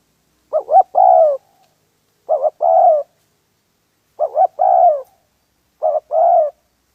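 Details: Spotted dove at a trap site, calling in four phrases: two brief stuttering notes, then a longer mellow coo sliding downward, repeated at irregular intervals of about one and a half seconds, in otherwise silent surroundings.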